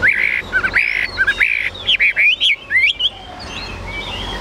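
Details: A tame captive Chinese hwamei, still shy near its keeper, sings loud, rich whistled phrases, rapid slurred notes rising and falling, in quick bursts for about three seconds before trailing off into softer notes.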